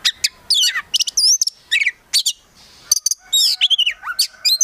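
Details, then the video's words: Oriental magpie-robin (kacer) in full, varied song, a kept prospect bird: rapid bright whistles, sweeping slurred notes and sharp chips in quick bursts with short pauses between phrases. "KACER GACOR FULL ISIAN BIKIN KACER APAPUN LANGSUNG NYAUT"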